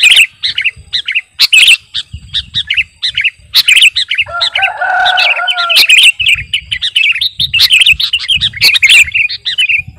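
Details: Kutilang garuda, a sooty-headed bulbul, in energetic song suited to luring birds and to master training. Quick twittering whistle phrases come in bursts. Midway a lower, harmonic nasal call is heard, then a long stretch of rapid chatter.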